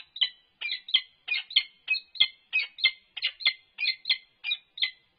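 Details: Peregrine falcon interaction at a UC Berkeley nest box, 3 November 2021, an unknown male atop the box with the resident female. Some sixteen raspy, even calls follow one another at a brisk, regular pace.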